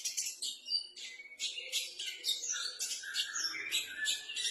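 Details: Practising white-rumped shama delivers a dense, rapid run of high twittering and whistled notes, phrases sliding downward and overlapping with almost no pauses, recorded at low volume.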